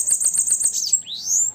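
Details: Female bananaquit singing at sunset: five quick, very high, thin sibilant notes in a tight series, then a short sliding note and a rising, wheezy upward sweep, all high-pitched over a quiet background.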